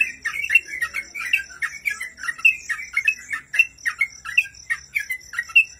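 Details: Master song of a sooty-headed bulbul for training cage birds, with rapid squawky chirps and bright accented notes tumbling in a quick irregular rhythm, above a constant high-pitched electronic tone.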